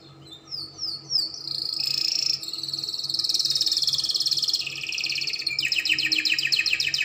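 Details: Spanish Timbrado canary song recorded to teach young canaries: a few quick descending notes lead into a long continuous metallic rolling trill that later breaks into a faster pulsed high trill; low steady hum behind.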